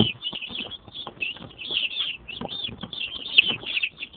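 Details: Little chickens, young chicks, peeping steadily in a dense chorus of short high cheeps, several birds calling at once, with soft low bumps and scuffling in the background.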